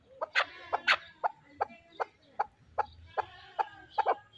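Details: Sharp, separate clucking notes from a fighting chukar partridge come about every third of a second, each a short harsh chuck, with a faint low hum behind them.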